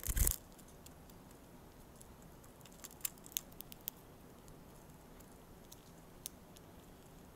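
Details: Soft rustling and a few sharp clicks in a quiet room after an opening thump, with no animal voice.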